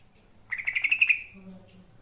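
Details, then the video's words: A single rapid, bubbly phrase of yellow-vented bulbul song, a run of quick liquid notes trailing off, used as a lure to make other birds answer; a faint low tone follows. "SuArA BuRUnG TruCuKAn 100% BAkalAn nYaut"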